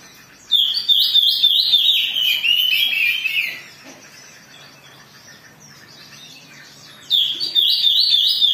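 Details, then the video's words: Agitated Oriental magpie-robin song, used as a lure to provoke other birds into singing: loud, rapid bursts of varied high whistled and chattering phrases lasting about three seconds, a quiet pause, then another forceful burst. "Pancingan Kacer Gacor || Suara Kacer Emosi"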